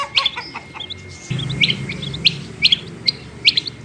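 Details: Female rain quail call, a run of brisk, high, clipped chirps spaced roughly every half second, some doubled, over a low rumbling background.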